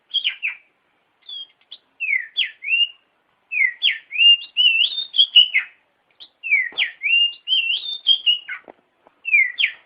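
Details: Shama singing to coax a lazy bird into song: clear high whistled phrases, downslurred and twisting, delivered in rapid clusters with short gaps between them.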